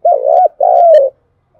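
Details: Spotted dove coo used as a lure-training call for trapping: a close, clear double note, the first wavering and the second longer and gently falling, with a faint click near its end.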